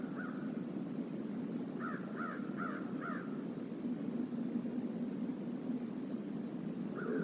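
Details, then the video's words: Crow among a flock visiting a stream area: one caw, then four evenly spaced harsh caws around two to three seconds, another at the end, over low running water. "A murder of crows visits the stream area"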